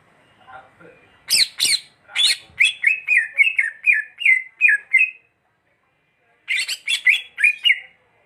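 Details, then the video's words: Greater green leafbird opening with harsh broadband squawks, then a run of quick, slurred whistled notes repeated about three per second, a pause, and another burst of squawks and whistles. "burung cucak hijau"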